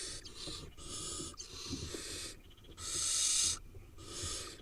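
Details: Eight wild barn owl nestlings, Israel, heard as a run of rasping hisses of varying length, the strongest lasting nearly a second, separated by brief gaps with quiet rustling.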